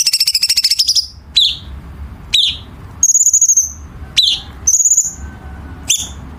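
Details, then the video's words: Chinese bulbul tutor song for competition birds: opens with a rapid high trill, then sharp downslurred chirps every second or so interleaved with two long high whistled notes, and ends on another chirp, with a faint low hum. "Masteran Cucak Cungkok Istimewa ~Isian Kasaran Tajam Rapat ~Tembakan Istimewa Masteran Burung Lomba"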